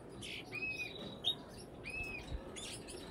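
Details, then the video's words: Brambling giving drawn-out, nasal, slightly arched notes, each about half a second long, with a couple of short chirps and faint low thumps between them. "Brambling (Fringilla montifringilla)"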